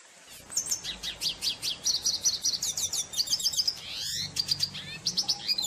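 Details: Red siskin (Spinus cucullatus), known as cardenalito, a small endangered finch of northern Colombia and Venezuela, singing a fast, high twittering song of buzzy trills and sharp chirps, phrases tumbling together with scarcely a pause.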